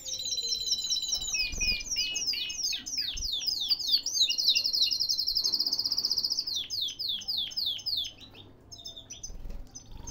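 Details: Canary singing in a cage in Baghdad, Iraq, with long strings of quick descending chirps, a loud ringing pulsed trill in the middle, then more chirp runs and a brief pause.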